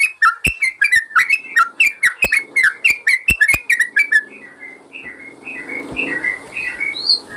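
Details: Yellow-vented bulbul song used as a master recording for training caged birds: rapid, bubbly whistled phrases repeated about twice a second, loud for four seconds, then softer, scattered whistled notes to the end.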